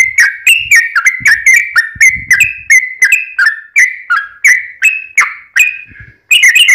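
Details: Sooty-headed bulbul singing a long lure phrase: a stream of bright whistled notes that slide down, slowing slightly toward the end, with faint low thumps beneath and a buzzy burst at the close.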